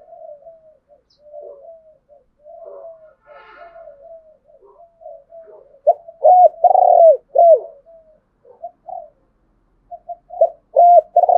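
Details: Spotted dove calling to provoke a wild rival to fight: a run of soft, low, murmured coo notes, then loud double arched hoots with a long throaty coo, repeated twice near the end.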